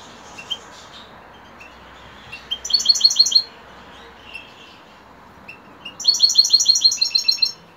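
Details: European goldfinch in the evening: a few soft scattered notes, then two loud bursts of rapid, high, tinkling repeated notes separated by a quiet gap.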